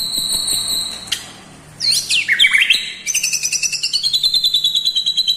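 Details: White-rumped shama singing with imitations of lovebird, kapas tembak and cucak jenggot; high steady whistles, swooping slurred notes, then a rapid series of about twenty pulsing notes sliding downward.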